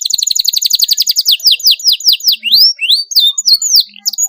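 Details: Canary in continuous sharp rolling song, played to prompt young canaries to sing; a fast high trill of repeated down-slurred notes slows into separate swooping whistles that rise and fall, with a few scattered chirps.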